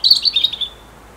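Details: Autumn song of a European robin: a short, loud, high warbled phrase of rapid jangling notes that wavers and slides gently downward before stopping abruptly, followed by quiet.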